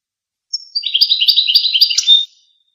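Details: A goldfinch delivers one rapid run of high, tinkling, chittering notes lasting under two seconds and ending in a brighter buzzy flourish; otherwise silent.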